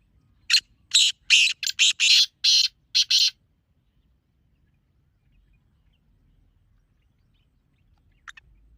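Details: Black francolin calling to lure others of its kind: a fast burst of about eight harsh, broadband, rasping notes within three seconds, then silence and one short note near the end.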